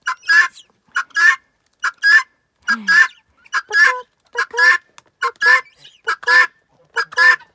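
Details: Female guineafowl chatting to her owner: harsh, grating two-note calls in a steady rhythm, a contented sound.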